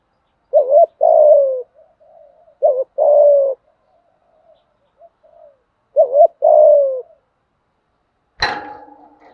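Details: Repeated challenge cooing of a spotted dove, used to train decoy birds: three deep phrases roughly every two and a half seconds, each a short wavering pair of notes then a sustained downward-sliding coo, ending with a sharp knock.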